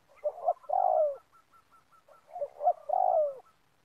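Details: Spotted dove luring call during trapping at an oil palm plantation: two repeated phrases, each a short stuttered double coo followed by a long, falling low hoot, with faint short notes in the gap.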